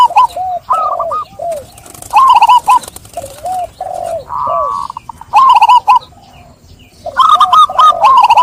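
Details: Zebra dove singing in bursts. Lower drawn-out coos alternate with higher quick stuttering trills, and scattered clicks sound between phrases.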